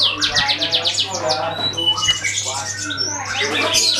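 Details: Canary song played as a lure to get other birds singing: quick runs of repeated high sweeping notes, then varied chirps, warbles and squeaky phrases, with a steady low hum underneath.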